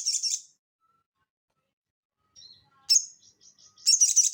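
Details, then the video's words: Sogon (crested jay) in busy ngeleper song for tutoring cage birds. A short burst of rattling notes, a long silence, then faint twitters, a loud sharp chip and a final quick rattle. "SOGON GACOR NGELEPER UNTUK PANCINGAN BUNYI ATAU MASTERAN"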